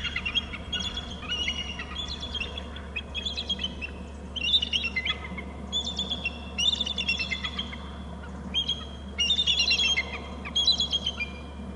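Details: Pair of bald eagles at their Hornby Island nest, both alerting as the male arrives from the left: bursts of high, sharp chittering notes with stacked harmonics, in several rapid series a second or so apart, over a steady low camera hum.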